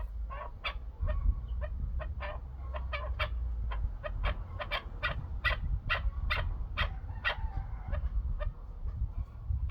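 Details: Chukar partridge calling in loud, rhythmic chucking notes, about two to three per second, continuing throughout over a strong low-frequency background.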